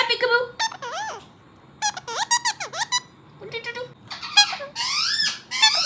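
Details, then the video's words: Colourful pet parrots indoors repeating peekaboo, each differently; many short harmonic syllables with downward and upward bends, grouped in quick bursts, ending in longer rising squeaky phrases. "Watch all my 4 parrots saying “Peekaboo”"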